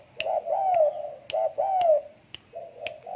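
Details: Tame spotted dove with repeated low, mellow coos, some drawn out and gently falling, given roughly once a second. Sharp clicks cut in between the phrases.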